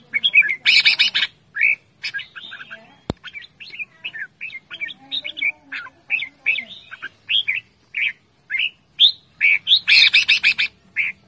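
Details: Red-whiskered bulbul as a cage pet, calling loudly for a long stretch: quick runs of chirps and whistled slurs, with harsh buzzy chatter bursts at the start and end and one sharp click.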